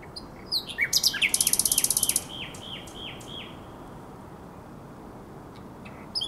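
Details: Night song of a common nightingale at the Żerań Canal, 23/24 April 2022: a dense high rattle, then a run of about eight identical falling whistles, then a long quiet pause before a few more notes.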